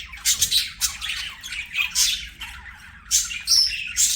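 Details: Budgies singing and playing together: dense, rapid warbling chatter of chirps, clicks and squeaky notes in pulsing bursts, with loud high peaks near the start and end, over a faint low hum.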